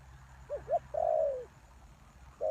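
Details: Spotted dove used as a lure for wild doves: two short soft notes, then one long falling croo, and a final coo starting at the end, over a quiet hiss.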